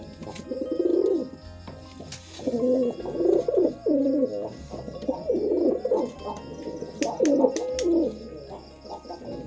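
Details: Mating pigeons producing repeated throaty coos in rhythmic bursts, wavering up and down in pitch, close and loud, with occasional sharp clicks and a low hum.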